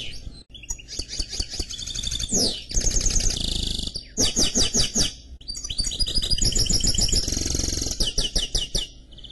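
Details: Canary x goldfinch hybrid delivering dense song phrases of high trills and rapid chattering notes in several bursts separated by brief pauses, with faint low noise underneath.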